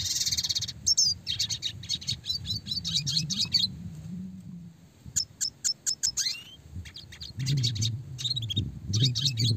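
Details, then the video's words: Clear, fast classic red siskin song with rolls and shooting notes, used to train small songbirds; a buzzy trill opens, followed by rapid bright twittering phrases, a run of sharp chips and further chatter over faint low noise. "red siskin gacor suara jernih roll tembak speed rapat"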